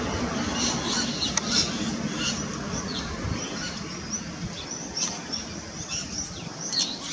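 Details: Rainbow lorikeet feeding, giving brief, shrill, chittering screeches repeated in quick irregular bursts over a steady rumble of background noise.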